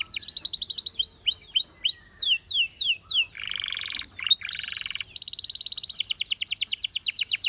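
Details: Singing Belgian canary moves through quick trilled notes, downward slurred whistles, a low nasal buzzing roll, then a sustained rapid chatter of bright repeated syllables.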